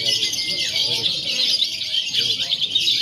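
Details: Lovebirds in a free-action contest simulation meant to prepare birds for competition, mixing konslet, fighter and paud birds: intense, shrill, nonstop chattering from many birds, steady in loudness, with a faint whistle early on.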